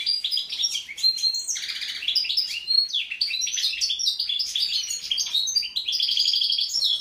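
A European goldfinch sings a fast, unbroken run of bright, tinkling twitters mixed with buzzy and liquid high notes, with no other sounds behind it.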